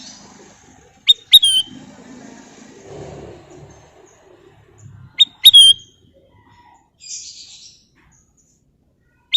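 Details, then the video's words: Two identical phrases from a golden bulbul roughly four seconds apart, each a short note, a crisp click and a descending clear whistle, with a faint rasping call later and a low rumbling background. "Siulan Cantik Burung Kutilang Emas"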